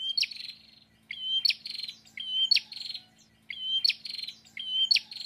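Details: Energetic prinia song with five phrases spaced about a second apart, each opening with a clear level whistle that breaks into a dry, buzzy trill, over a faint low hum.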